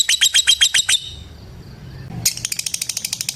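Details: Lovebird calling a rival with ngekek chatter: a burst of quick, high, sharp notes, a brief pause of near silence, then the rapid chipping resumes more softly.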